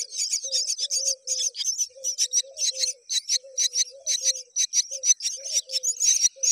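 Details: Myna adult repeatedly feeding its babies; harsh, raspy high chirring bursts come in quick irregular runs, with a soft low tonal note repeating underneath.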